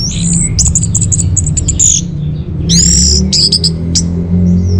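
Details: Song of an orange-headed thrush, played as a lure and master recording for caged birds: rapid runs of high, piercing whistled notes in quick clusters, broken by a short pause, then loud ringing phrases.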